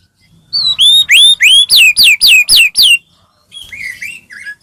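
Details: Singing white-rumped shama, used as a lure to rouse other shamas: a rising whistle leads into a steady series of loud, sweeping downslurred whistles, about four per second. Softer, thinner chirping notes trail off afterward.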